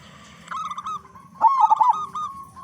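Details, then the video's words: Local zebra dove with a big voice, singing strongly, used as a lure to make other doves sing. A soft drawn-out coo is followed by one loud burst of rapid, rolling, quavering notes. "Perkutut Lokal Gacor Suara Besar Pancingan Burung Perkutut Agar Cepat Bunyi"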